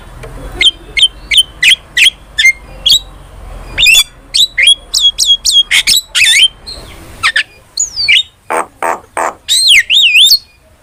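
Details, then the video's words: Starling song meant as lure and master material for training cage birds: quick series of sharp whistled notes and clicks, followed by harsh rasping bursts and rising-falling whistles near the end. "PANCINGAN DAN MASTERAN BURUNG JALAK"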